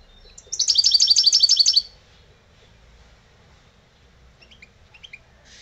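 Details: Old European goldfinch, a kept bird, singing lebrijano-style: one fast, high, tinkling trill lasting just over a second, followed by near silence and a few soft scattered chirps.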